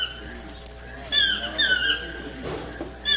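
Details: Chestnut-mandibled toucan (Ramphastos ambiguus swainsonii) utters drawn-out, downward-slurring croaky yelps mid-clip, then a further call begins at the end, over a constant hum and faint background noise.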